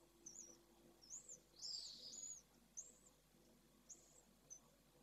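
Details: Swifts on a nest webcam in Jerez at the first hatching: thin, very high chirps and short wavering trills come about twice a second. One louder, buzzier burst falls near two seconds, over a faint steady low hum.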